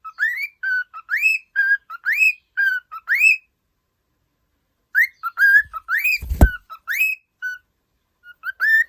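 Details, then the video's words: Cheerful whistling song of a pet cockatiel, which ends up singing loudly while running; rising, upslurred whistles alternate with level notes, broken by a silent gap and a sharp low thump in the middle. "玄凤鹦鹉 欢快 唱歌！最后 竟然 一边跑 一边高唱！"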